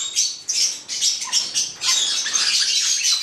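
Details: Black-headed parrot pair giving rapid harsh squawks, about two bursts each second, shrill and scratchy, running into a longer continuous screech toward the end.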